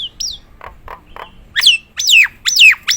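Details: Nias hill myna, a gacoran bird in top singing form: after soft low clicks, loud whistled notes slide steeply downward in quick succession over the last half, each a bright descending slur.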